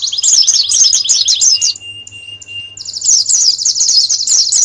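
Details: Canary song used as master song to train competition birds for a national contest: fast trills of high rapid chirps, a steady thin whistle in the middle, then another quick rolling trill, with a low steady hum underneath.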